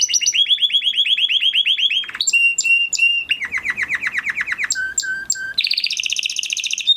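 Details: Crested Spanish Timbrado canary from 2020 breeding, kept in a flock, singing a training song: fast rolling trills, a steady run of repeated notes, then clipped metallic tours, a lower dropping roll and a high fine trill, all bright and high.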